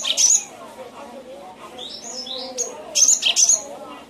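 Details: Cinereous tit, recorded as a training track for caged songbirds: two bright bursts of sharp, doubled high notes, one at the start and one near the end, over a steady bed of lower twittering from other birds.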